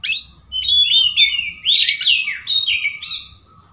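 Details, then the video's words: Long-tailed shrike copying sooty-headed bulbul: a flowing sequence of rich, bulbul-like slurred whistles rising then dropping, delivered in four or five linked phrases. "Cendet isian kutilang itu adalah cendet cerdas"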